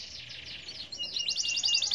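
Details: Domestic canary singing energetically, kept to stimulate other canaries to sing: a fast run of high, twittering sweeps gives way to bright, rapid rolling trills that grow louder toward the end.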